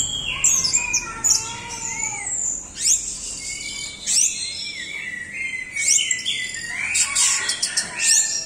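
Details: Orange-headed thrush pouring out a long, rich song in the 'doyong teler' manner: lower fluting whistles, then sharp downward sweeps, high trills and crowded chattering phrases.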